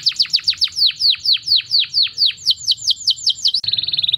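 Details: Canary song for mating made of a steady run of sharp downward-swept whistles, roughly four a second, ending in a fast flat buzzy trill.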